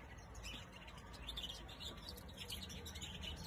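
A European goldfinch gives quick, tinkling twitters and chirps in a steady, high stream over a low background rumble.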